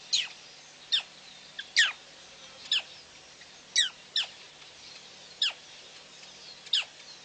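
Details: Female black crake recorded 9/6/11 gives sharp, high notes that drop steeply in pitch, repeated irregularly about once a second against a faint background hiss.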